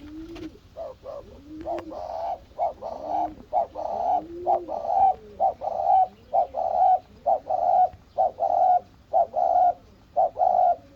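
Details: Spotted dove calling after seeing its mate: a long, steady run of loud, rough notes at about one per second, interleaved with soft, low rising-and-falling coos.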